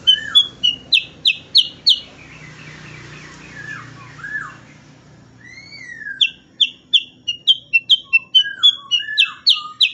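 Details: Sooty-headed bulbul singing, meant as training audio for songbirds: bursts of rapid, sharp high chips, with a pause of drawn-out whistled slurs in the middle, then another fast chipping run.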